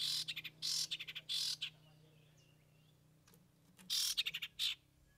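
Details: Long-tailed Shrike (cendet) in song with three imitated fill-ins: loud, harsh, scratchy bursts mixed with rapid ticking notes, first a cluster, then a quiet gap, then a second harsh burst with ticks.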